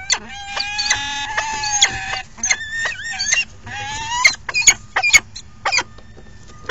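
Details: Falcon chicks at the nest during the second morning feeding, giving a dense run of shrill, harmonic, wavering squeals and sharp chips that overlap and repeat rapidly, some drawn out, others clipped short; steady low background hum.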